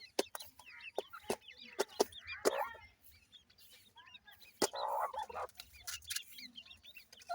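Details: Grey francolin chicks peeping: many brief, high, curved notes from several birds at once. Loud knocks or pecking taps break in repeatedly, with a short rustling burst near the end.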